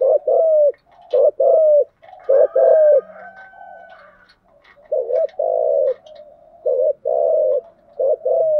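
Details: Spotted dove lure call meant to draw in wild doves: clear, low coos in phrases of paired notes, a quieter middle stretch with a faint high whistle, then louder coos resume.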